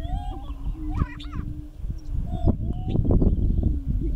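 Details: Five male Greater prairie chickens displaying on their lek in Wray, Colorado, in late April; low hollow moaning hums hold steady beneath, overlaid by sharp cackling notes and crowded rumbling from several birds.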